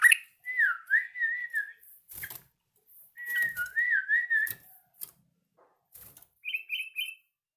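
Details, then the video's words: Yellow-vented bulbul learning its song: two wavering, bubbly whistled phrases, each about a second and a half long, separated by a pause, then a short burst of quick, higher trilled notes near the end. There are faint clicks between phrases and no other clear sounds. "BURUNG TRUCUKAN BELAJAR BUNYI"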